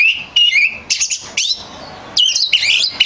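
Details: Oriental magpie-robin, a kacer in strong voice for training songbirds: a clear sliding whistle, sharp high clicks, then a bright rising-and-falling warble.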